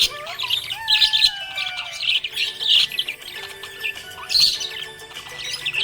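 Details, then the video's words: Happy budgerigar chirping, with bursts of high, scratchy chirps and short squawky warbles, separated by brief pauses, over background music with steady tonal notes. "Happy budgie chirping sound"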